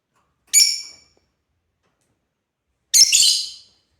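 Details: Playing African lovebirds: one short piercing chirp, then after a pause a longer, raspy, chattering shriek of high notes.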